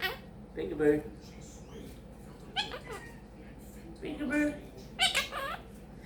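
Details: Pet quaker parrot (monk parakeet) talking in a room. It says phrases like peek a boo, give me a kiss and thank you baby. Nasal, speech-like syllables and scratchy, harsh squawks come in short bursts separated by quiet gaps.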